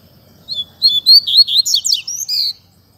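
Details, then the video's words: Double-collared seedeater, caged and about to moult, sings one fibra phrase of about two seconds: quick, high, clipped notes building to rapid, steep, falling slurs and a final sustained whistle. "Coleiro Mack Canto Fibra Dando um Show!!!"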